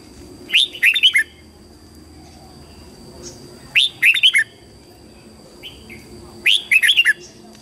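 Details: Morning song of a red-whiskered bulbul used to coach young birds: three lively warbled phrases, each a tight burst of four to six quick whistled notes, with a faint low hum early on.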